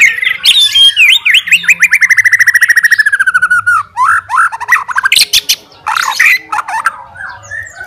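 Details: Fighter white-rumped shama challenging rivals with a showy outpouring of its repertoire: a long accelerating trill of rapid repeated notes slowly descending, then bursts of harsh buzzy notes and scattered whistled phrases.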